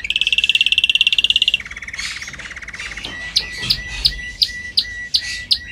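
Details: Canary song used for training: a fast bright trill at high pitch, then a lower rolling trill, then spaced sharp high notes repeated roughly every third of a second.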